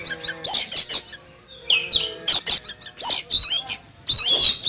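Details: Caged Oriental magpie-robin set out in a yard to sun in the morning, frightened on seeing an eagle flying: short harsh rasping bursts mixed with quick high whistled chirps, coming in clusters about every second.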